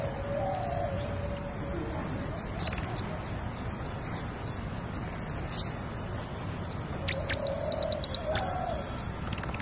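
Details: King konin singing as a lure for catching birds: scattered high tweets and short chattering runs, some sliding notes and one sustained buzzy trill, with a faint low hum throughout.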